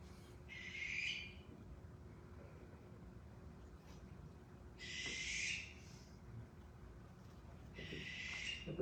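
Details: Barn Owl in Arizona, a bird reported there the year before, giving three harsh, hissing, blood-curdling screams, each about a second long and spaced roughly every three to four seconds, over a low background rumble.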